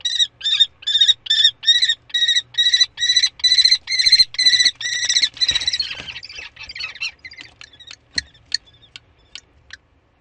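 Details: Common kestrel on 15 May in spring, delivering a long, loud series of harsh, ringing, evenly spaced notes, about two per second, for six seconds, then fading into scattered quieter clicks and ticks.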